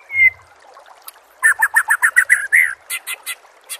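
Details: Captive white-rumped shama training song: a thin drawn-out whistle, then a rapid string of eight sharp repeated notes ending in a rising slur and a few spaced clicks.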